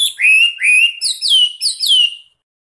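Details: Chinese hwamei, a master recording meant to tutor other songbirds such as magpie robins, singing loud rich whistles: two upward-sliding notes followed by three repeated downward-swooping phrases, then silence.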